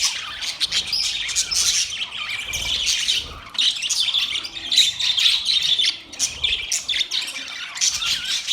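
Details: Several budgies talking together with mating chirps, a rapid flow of high scratchy warbles and squeaks that briefly dips quieter midway before resuming.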